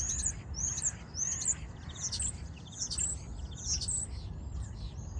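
Starlings sing a busy jumble of high squeaky whistles, chirps and dry clicking rattles, running on without pause over a low background rumble.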